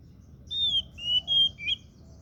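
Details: Oriental magpie-robin (kacer daput) giving a short whistled phrase: a long, high, slightly falling whistle, then two level notes and a quick twisting ending, clean and clear.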